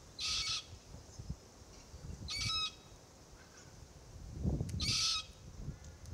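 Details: Young Forest Red-tailed Black-Cockatoo complaining incessantly while its parents crack green Marri gumnuts; three grating, hoarse screeches, each about half a second, with soft crunching and rustling of feeding between.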